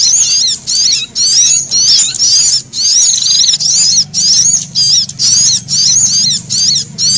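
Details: Alarm calls of a frightened brown-throated sunbird mixed with prenjak, used as a bird lure: rapid shrill wavering bursts repeated about twice a second with brief gaps, and a soft low hum beneath.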